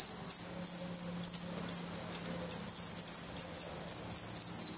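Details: Black redstart nestlings in a nest in Portugal, 16 May 2020, with eyes newly open, beg with a steady stream of very high, thin, hissing calls several times a second, recorded by a camera near the nest, over a faint low hum.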